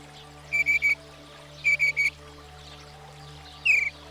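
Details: Northern Mockingbird, said to learn up to 200 sounds in its lifetime, giving short bursts of three quick whistled chips, a pause, then a falling slurred note, over faint low background music.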